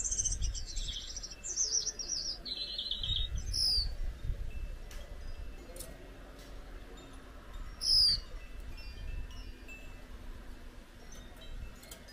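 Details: A pair of Gouldian finches singing: thin, high whistled notes sliding downward in short series, then a sharp high note near eight seconds, over steady low rumbling background noise.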